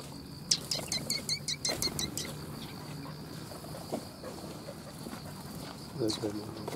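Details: Several sparrows arriving for food at a Tenmangū shrine, 3 October 2021, give a quick burst of sharp, high chirps in the first two seconds, then fall mostly quiet under a constant low background hum, with a brief lower sound near the end.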